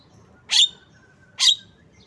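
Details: Javan myna, described as tame, giving two loud, rasping, downslurred notes under a second apart, with a faint low rumble behind.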